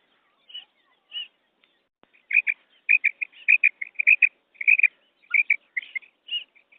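A female common quail gives quick, high, chirping notes, often doubled, in a fast irregular string after two soft opening calls. The background is quiet.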